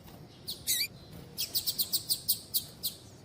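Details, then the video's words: Female double-collared seedeater (papa-capim) calling males, used by breeders for female-call tournaments; a few sharp high chips followed by a steady series of about nine short high notes spaced roughly a third of a second apart. "fêmea de Papa capim Chamando Muito"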